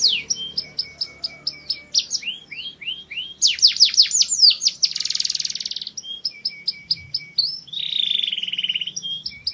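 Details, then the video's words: Canary song tied to mating stimulation: scattered sharp chirps and downward slurs, a burst of rapid descending notes, a dense buzzy trill, then a steady rolling trill lower in pitch. "красивое пение канарейки"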